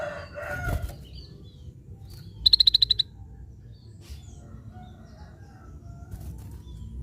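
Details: Scaly-breasted bulbul: a lone half-second string of about seven fast, high, ticking notes at an even pitch. A brief mixed noise opens the recording, and a low hum runs throughout.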